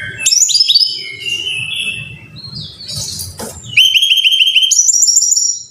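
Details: Brown-chested jungle flycatcher song used as a lure recording to get caged birds singing often: high whistled notes slurring downward, a sustained whistle, a pause with low hum, then rapid buzzy trills with repeated pulsed notes.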